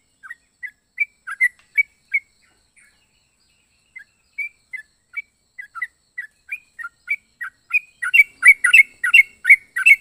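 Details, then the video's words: Yellow-vented bulbul with an unusual voice: sparse, soft chirps separated by gaps, then an excited run of louder bubbling notes in the final seconds. "Burung trucuk unik suara aneh"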